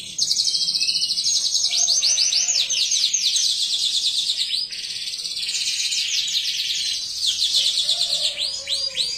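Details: Domestic canary singing a long, continuous song meant to prompt other canaries to sing; high rapid trills and fast repeated sweeping notes, rolling phrases run back to back with hardly a pause, faint low background hum.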